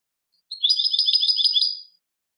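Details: Clean song of a European goldfinch: a quick rising note leading into a rapid, high, jangling trill of about a dozen notes over one and a half seconds, in silence.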